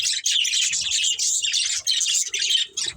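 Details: Two breeding budgerigars chirp in rapid, slurred warbles, a steady stream of bright scratchy notes pulsing in short groups roughly every half second.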